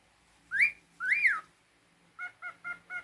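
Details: Two loud arched whistles from a pet cockatiel, rising then falling, followed by four short even chirping notes in quick rhythm.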